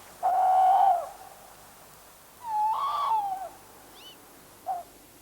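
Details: Tawny owl in a British garden, a call most often heard at dusk, especially as autumn approaches: a long, steady hoot, then a wavering tremolo hoot about two seconds later, and a brief soft note.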